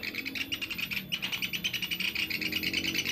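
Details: Sunda pygmy woodpecker call used as a bird-trapping lure: a continuous, fast, buzzy rattle of evenly spaced notes, about ten per second, running steadily with slight dips in loudness.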